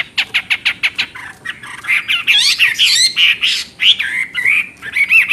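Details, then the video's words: Lively singing from a Chinese hwamei: a string of about eight quick, sharp whistled notes, then a rich jumble of sweeping, warbling and looping whistles, ending in slurred ringing phrases. "Burung Hwamei Wambi NGOCEH Istimewa Gacor Suara Cristal"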